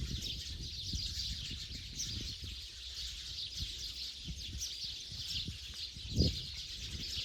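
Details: Sparrows heading to their night roost in Bodoland: a dense, continuous chorus of many high, overlapping chirps and tweets with no pause, over soft low rumbling background noise and an occasional thump.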